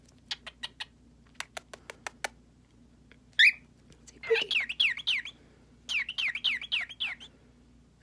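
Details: A pet hand-fed male cockatiel gives a rising whistle, then two bursts of fast, wavering warbled chatter, after a run of sharp clicks.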